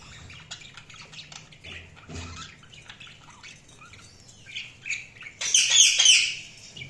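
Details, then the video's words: Budgerigars chirping: soft, rapid, twittering chatter builds up, then a loud, harsh squawk breaks in near the end. "Budgies Soundsq Chirping sound"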